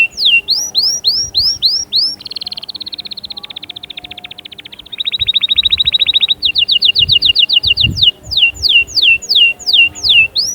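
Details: Canary song played to encourage young birds to sing and to prepare females: loud varied phrases of repeated notes, including steeply falling whistles, fast buzzy trills and rapid rising chirps, each phrase type repeated many times.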